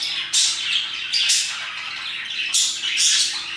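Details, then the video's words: Parakeets calling around 2pm, scratchy high chirps in loud bursts near the start, middle and end, with quieter twittering filling the spaces. "Parakeets chirping and singing their hearts out"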